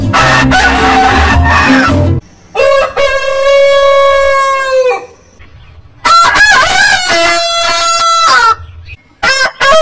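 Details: Rooster crowing after a stretch of low noise: one long, steady harmonic crow of about two seconds, a pause, then another long crow ending in rough, broken notes.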